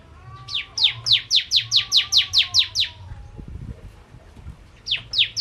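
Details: Javan prenjak, the bar-winged prinia, singing as a lure for ciblek kristal birds: a run of about twelve sharp downslurred buzzy notes over a faint low whistle, then a pause and a new start.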